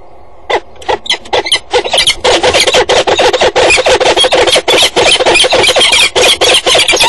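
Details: Two Peregrine falcons giving loud, harsh, grating aggressive calls in a rapid, nearly continuous series of about three per second while fighting on a grating, then falling together with talons locked; at 06:47 on 3 April 2012, at a water tower.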